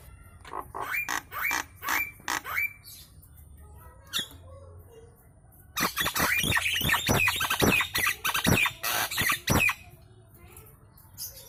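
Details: Nias hill myna used as a loud lure to make other birds respond and sing: a string of clipped, whistled notes with upturned ends, then a dense stretch of rapid harsh chatter mixed with bright whistles.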